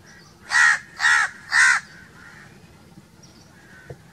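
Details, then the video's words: Three hoarse, broad crow caws in fast succession, each about a quarter second long, then quiet with faint distant calls. "1 hour crow crowing sounds - one hour crow nonstop crowing voice - natural crow bird sounds"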